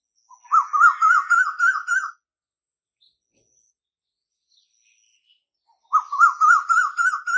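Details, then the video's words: Koyal (Asian koel) singing, its voice tied to the coming of spring: two bursts of rapid, bubbling, slightly rising warble, each about one and a half seconds long, separated by nearly four seconds of silence. "Asian Koel Singing | Koyal Ki Awaz"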